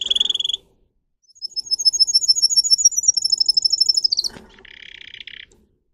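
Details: Training song of a singer canary: a short buzzy trill, a pause, then a long run of high chirped notes that quickens into a rolling glissando. A click follows, then a softer low buzzing trill closes.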